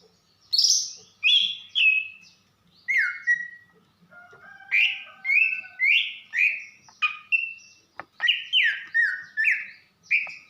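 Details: Caged female greater green leafbird from Banyuwanga, calling to arouse a male: loud whistled notes sliding down from about high to mid pitch, given in quick series of two or three, with pauses between bursts.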